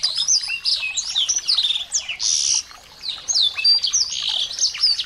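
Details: Dense, nonstop twittering from small birds, played to provoke a white-rumped shama into singing: overlapping sharp chirps, buzzy bursts and fast downslurred notes, with one short pause.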